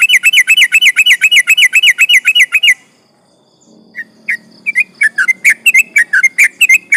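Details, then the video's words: Sooty-headed bulbul singing a long, rapid chattering phrase used to provoke rival birds: fast repeated warbled notes about four per second, a pause, then sharper scattered whistled notes resuming into quick repeated bursts. "trucukan gacor ropel panjang bikin emosi lawan"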